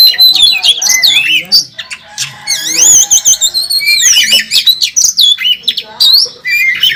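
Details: Contest Oriental magpie-robin singing in fighting mode on the judging track: shrill, sweeping whistles rising and falling, bursts of quick chattering notes and squeaky trills, loud and nearly unbroken.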